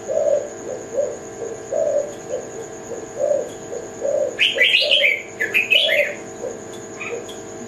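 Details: A spotted dove, Kelantan type, gives a run of low hollow coos throughout; midway a busy burst of high chattering chirps from another bird joins in.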